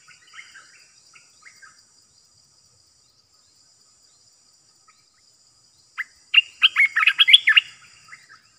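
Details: Caged decoy Olive-winged Bulbul, faint scattered notes, then a sudden loud cascade of quick, chattering chirps near the end.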